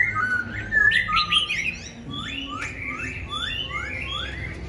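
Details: Tame caged Black-throated Laughingthrush singing alone, without a female, on a cold day: rich whistled warbling at first, then a series of upward-sweeping squeaky notes spaced under a second apart.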